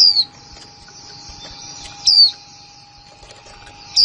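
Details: Female white-eye, newly kept in 2020, with "kick mộc là líu" calling: three high, quick, downward-sliding notes spaced about two seconds apart, quieter between them with a steady low hum.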